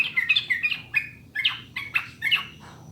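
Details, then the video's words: Sooty-headed bulbul master song meant to coax caged birds into singing: clear, liquid whistled notes in quick bursts, each short phrase bubbling and dropping, separated by brief pauses. "SUARA JERNIH PANCINGAN MASTERAN TRUCUKAN UNTUK BURUNG AGAR CEPAT BUNYI DAN GACOR"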